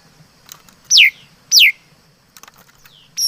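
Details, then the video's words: Chim mi đất, a laughingthrush, gives two strong descending whistles about half a second apart. A third whistle begins at the very end, with a faint sliding note and light ticks in the gap. "Tiếng Chim Mi Đất Hót Chuẩn"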